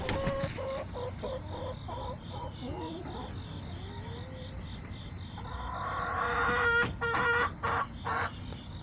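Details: Backyard chickens on September 20, 2024, with rapid short clucks early on, a quieter stretch, then a loud rising call broken into pulses toward the end.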